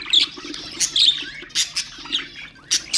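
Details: Budgerigar chatter for stimulating other birds: whistled chirps, buzzy warbles and short squeaks follow each other rapidly in a few loud bursts.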